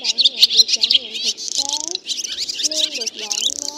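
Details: Flock of black, white-bellied swallows calling one another home to roost, used to lure birds into nets: busy overlapping high twittering and sharp chirps, with wavering lower whistled notes below.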